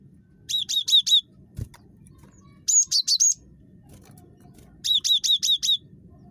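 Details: Cinereous tit, very chattery, used as a lure to make other birds call: three quick bursts of four to five high, sharp, downward-flicking notes, spaced about two seconds apart, over a low background rumble.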